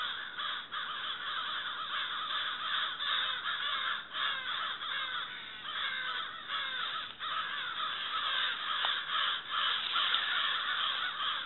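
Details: Crows calling together in October, a dense, continuous chorus of harsh, overlapping caws with no pauses, some rising and falling in pitch, loud and steady throughout.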